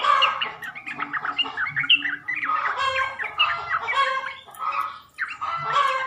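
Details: Sooty-headed bulbul calls used as a lure to draw males into answering: dense bubbly chattering with short whistled and warbled notes, several voices overlapping throughout, and brief quieter gaps.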